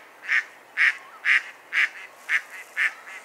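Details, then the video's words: Mallard quacks at a quick, steady pace of about two per second, each one a short, rough, nasal burst. "Mallard Bird Sound Call"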